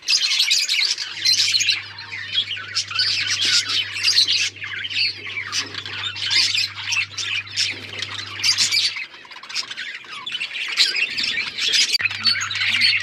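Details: Budgerigar colony squawking and chirping loudly, harsh bursts and rapid twitters layered densely, a low hum running through most of it.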